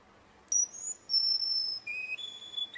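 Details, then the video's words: Russian canary at a song contest: a sharp onset, then drawn-out pure high whistles that drop to a lower tone near the end. "kontes kenari rusia suara unik dan keren"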